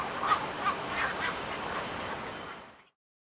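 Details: Black-crowned night heron chicks being reared at the nest in Taichung Park, Taiwan, on 15 May 2018 give harsh, raspy squawks in a quick, uneven series, about three each second, over a steady background hiss.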